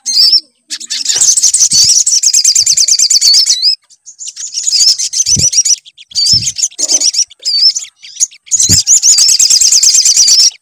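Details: Sunbird song played to prompt a sunbird to sing: repeated bursts of shrill, rapid twittering with rising and falling whistled loops, separated by brief silences and soft low thumps.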